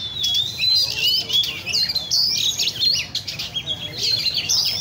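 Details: At a bird cafe in Vietnam's Le Thi Rieng park, caged Oriental magpie-robins pour out clear, high whistled phrases with fast trills and upward slurs, the voices overlapping against a faint low rumble.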